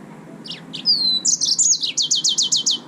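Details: Song of a yellow-fronted canary: a few opening chirps, a long falling whistle, then quick slurred notes and a steady trill of about eight evenly repeated high notes.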